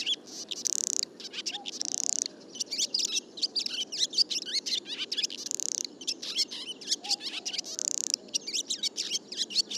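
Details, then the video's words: Barn swallow song, a rapid chattering warble of high twittered notes broken by several harsh, buzzy grating rattles about every two to three seconds, over a soft low background hum. "Vogelstimmen: Die Rauchschwalbe - Barn swallow - Hirundo rustica"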